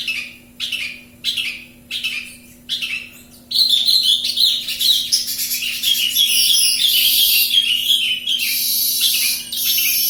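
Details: Javan bush lark from Kediri in full, energetic song: spaced buzzy chirps every half second or so, then a long unbroken stream of rapid scratchy twitters and high trills; faint steady hum throughout.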